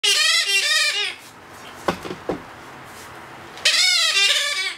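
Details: A two-month-old Blue-headed parrot being hand-fed gives harsh, rapidly pulsing nasal begging calls in two bursts, with a short quiet gap and faint clicks between them.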